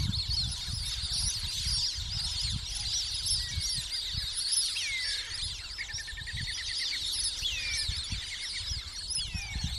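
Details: A large flock of plumed whistling ducks near Darwin, Northern Territory, Australia (Fogg Dam / Corroboree Billabong area), keeps up a dense chorus of thin, high whistles, some sliding up or down, over a low wind rumble.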